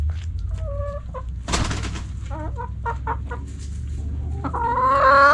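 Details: Backyard chickens eating give short, mid-pitched clucks and brief nasal calls. A soft scuffle of wings or scratching comes first, and a rising, drawn-out rooster crow begins at the end.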